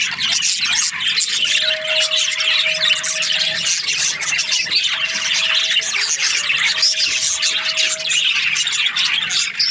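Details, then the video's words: A group of budgerigars chirping in breeding season, dense continuous warbling and squeaks; a faint steady hum comes and goes in the background. "Happy budgies chirping sounds | breeding season"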